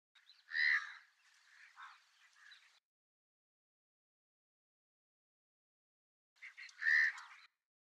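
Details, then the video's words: House crow, a rare vagrant recorded abroad in India; two harsh, hoarse cawing bursts, the first followed by a few rougher trailing notes, then a long silence before a final loud caw; no other sounds. "イエガラス（1）稀な迷鳥（インド） - House Crow"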